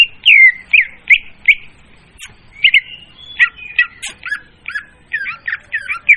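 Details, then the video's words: Leafbird lure song for trapping, loud and clean: repeated down-slurred whistles, then a pause, then chattering clicks and a series of hooked, quickly repeated notes about two or three per second. "suara pemikat burung murai daun||suara jernih dan volume keras."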